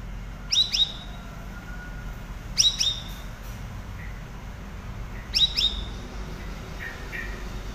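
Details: Cucak rawis chattering, recorded as master song for cage birds: paired bright down-slurred chirps repeated three times at intervals near two and a half seconds, with a few soft lower notes between and low rumble.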